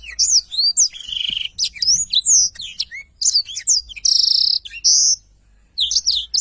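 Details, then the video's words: Very vocal black-throated canary in long rolling song for tutoring: varied sliding whistles and chirps broken by buzzy, sustained rattling notes, a short pause, then more whistles. "Tarikan Suara Blackthroat Super Gacor Ngerol Panjang"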